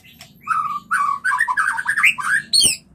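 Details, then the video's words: White-rumped shama, used as a lure to stimulate mating: a varied run of clear whistled and warbled phrases around mid pitch, rising and falling rapidly, ending with a sharp high note. "MURAI KAWIN suara Jernih - yang ini MANJUR untuk PANCINGAN KAWIN"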